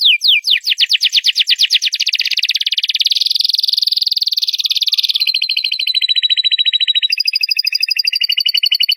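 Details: Loud canary song built from rapid buzzy trills: fast descending notes at the start, then a long dense rolling trill, shifting to a higher and faster roll near the end.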